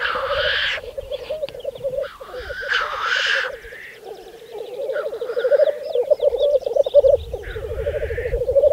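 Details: Spring lekking of black grouse, Saaremaa, Estonia, 2014: steady dove-like bubbling drone, with loud hissing chuffs near the start and around three seconds, and faint whistles from other birds.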